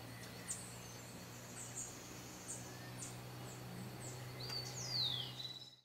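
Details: White-lined tanager at Sachatamia Lodge, Ecuador, May 2012, gives faint, high chips about every second, then a clearer, sharp downslurred note near the end, over a steady low hum.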